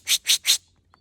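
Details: Hairy woodpecker (Dryobates villosus) agitated call at a perched Merlin, alongside annoyed White-winged Crossbills, Nichols Lake, Sax-Zim Bog, Minnesota, cold morning of October 1: three harsh, high, scratchy notes about five per second, then one faint chip.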